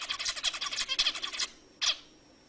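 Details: Male-style courtship singing of a zebra finch meant to excite females to mate: a rapid string of harsh, buzzy nasal notes lasting about a second and a half, then silence and one final short note.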